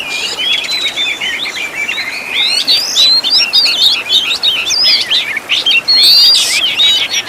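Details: Fast, varied Oriental magpie-robin (kacer) song for teaching caged birds, crammed with 'tembakan' fill-ins: dense twisting whistles and sharp chirps, about three or four notes each second, with a bright upslurred whistle near the end.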